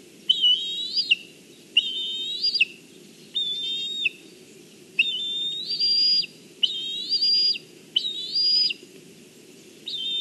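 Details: A young black kite at its nest in Kurzeme, Latvia, on the morning of 14 July 2023, while parents deliver fish, gives high, wavering whistled calls about a second long, repeated every second or two over a low rumble.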